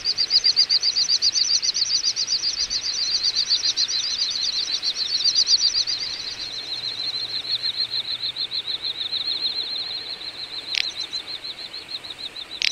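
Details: Wintering flock of little bustards in Ag-Gol National Park, Azerbaijan, November 2014, gives long overlapping trains of rapid high whistled pulses that fade gradually, with two sharp clicks near the end.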